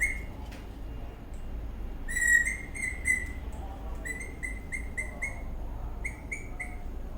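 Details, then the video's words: Eastern rosella parrot in a happy mood, dancing and chirping: a short opening note, then a loud slurred whistle and a run of quick evenly spaced chirps on one pitch. "The Eastern Rosella parrot is dancing, whistling and chirping in happy mood"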